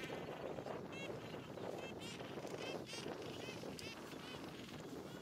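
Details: A gentoo penguin colony on Carcass Island, Falkland Islands, on 21 January 2019: many overlapping harsh, bleating brays, several each second, rising and falling over constant wind and colony rumble.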